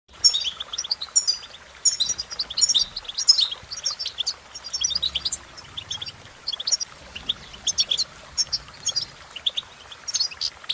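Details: Goldfinch singing cheerful tunes: fast, bright twittering of high chirps and short trills in bursts, with brief pauses between phrases; a faint low hum underneath.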